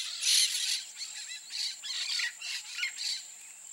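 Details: Peach-fronted parakeet squawking in rough, grating bursts about every half second, loud then softer, with a continuous thin insect drone in the background.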